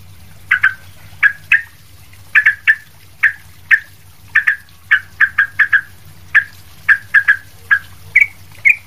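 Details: Sooty-headed bulbul calling busily, intended as tutor material for other bulbuls: a steady stream of clipped, downslurred chirps, singly and in pairs or triplets, about twenty notes, with a faint electrical hum underneath.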